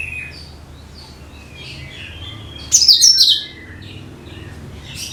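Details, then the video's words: Cucak kinoi, a bulbul whose song serves as a lure for all bird types: faint scattered high chirps, then a single loud, bright, twittering burst lasting about half a second, then quiet chirping again. "SUARA CUCAK KINOI BUAT PANCINGAN SEGALA JENIS BURUNG"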